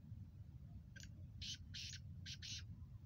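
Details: Harsh rasping call of a Kala Teetar, the black francolin, described as a nasal Chakri Wala Sheedi cross speeder voice: five buzzy, scratchy notes in quick uneven groups, quieter against steady low hum.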